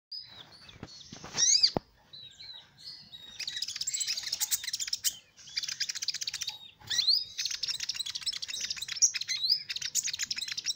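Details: Sunbird (kolibri ninja) song used to lure small birds: a sharp rising whistle and brief notes, then long runs of rapid, high, buzzy chattering trills broken by short pauses and bright upslurred squeaks.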